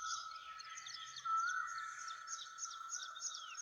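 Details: Birds singing in the woods on a breezy morning: a steady whistled tone holds underneath while many thin, high chirps and short trills scatter above it.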